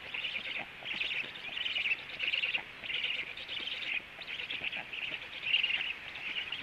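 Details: At a black stork nest in the afternoon, the male arrives and feeding starts; husky, rasping pulses repeat in runs of several, fairly even, with a constant background hiss.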